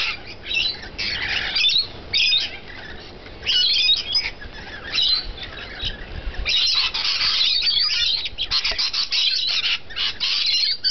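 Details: Several bouts of rasping, high screeches from rainbow lorikeets at a feeding spot, the chatter swelling into a long unbroken stretch near the end.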